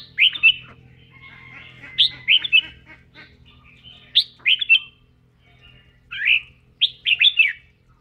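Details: A red-whiskered bulbul sings and dances as part of voice training, delivering cheerful whistled phrases of several rapid swooping notes, bursts spaced one to two seconds apart, with a faint low hum underneath.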